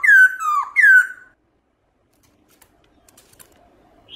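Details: Black-throated laughingthrush singing a wild-type song in the morning: three loud whistled notes sliding down from high to lower pitch within about one second, then quiet with faint clicks.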